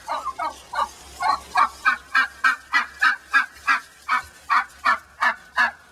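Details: Agitated hen in a backyard pen, put back with flockmates that had attacked her, producing rapid rhythmic turkey-like gobbling notes, about three per second, steady and loud, over a low background hum.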